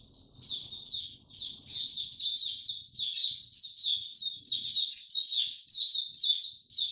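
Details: Caged white-eye in warm, very humid weather, recorded 26 March 2022, starting softly and then pouring out a loud, sustained stream of high, rapid twittering notes, roughly two phrases per second.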